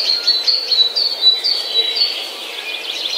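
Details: Birds in the morning, giving thin, high whistled notes and short chirps at a fairly even pace, softer and less dense than a full chorus.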